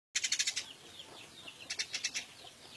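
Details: Captive Eurasian tree sparrow, a wild-caught bird kept to tutor songbirds, giving two bursts of rapid, evenly spaced high chirps separated by a quieter pause.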